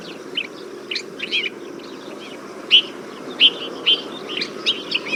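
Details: Desert finch (Rhodospiza obsoleta) giving short, bright chirping notes at irregular intervals, with a few sharper high calls standing out over a soft background hiss.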